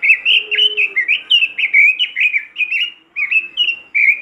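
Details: Robin singing loudly to encourage other robins to join in: continuous chains of bright, looping whistled phrases with brief gaps between bursts.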